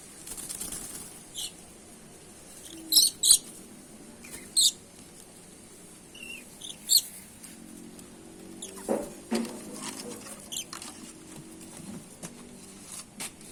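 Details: Red-and-black lory giving scattered short, harsh, high-pitched screeches, single or in quick pairs, separated by pauses, with a faint low hum in the background.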